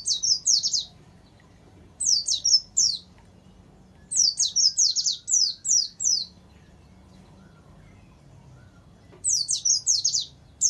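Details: Warbling white-eye master song with canary insertions for caged-bird tutoring: short bursts of high quick downslurred notes, pausing one to three seconds, repeated about every few seconds.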